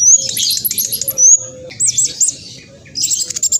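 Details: Fast, noisy olive-backed sunbird song meant to make other birds answer: dense bursts of high twittering chirps broken by a thin drawn-out whistle, then more rapid chatter after short pauses.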